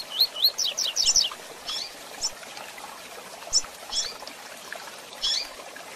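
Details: Double-collared seedeater singing the Tui Tui Zel Zel song style with female chirps, used for handling; a quick series of high rising whistled notes opens, followed by scattered single chirps.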